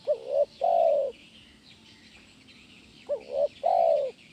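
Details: Spotted dove in 'kuk 1' song style, used for training doves: two low phrases separated by a pause, each a short rising note then a longer, smooth coo that drops slightly, with light twittering behind.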